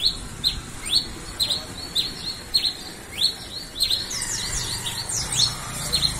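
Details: Red-crested finch, known as tico-tico-rei-cinza, singing a lot with quick high chirps, sharp downward slurs repeated about twice per second, over steady low background noise.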